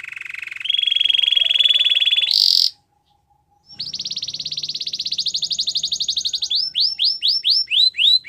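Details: Belgian canary singing, used to train a silent canary to sing: a steady high buzzy roll that jumps higher, a brief pause, then a fast pulsed trill followed by a series of rising, repeated chirps.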